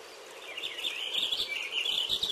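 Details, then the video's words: Purple finch song heard as a continuous, somewhat muffled warble of slurred notes, set against steady background hiss. "Canto del Camachuelo Purpúreo"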